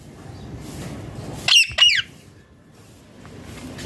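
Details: Ringneck parrot giving one quick pair of piercing, downward-sweeping screeches amid low background hiss, followed by quiet.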